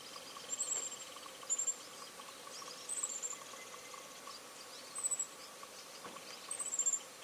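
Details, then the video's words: Daurian redstart at Buluowan, Hualien, Taiwan, recorded on 21.02.15 in winter. Very high, thin, short whistles sound faintly about once a second over a soft, steady background hiss. "黃尾鴝/Daurian Redstart"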